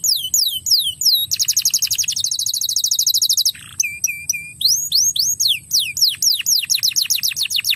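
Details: A crested canary sings a fast, bright song of high downward-sweeping whistles, a rapid buzzy trill and ringing, swooping phrases, used to draw song from untrained canaries.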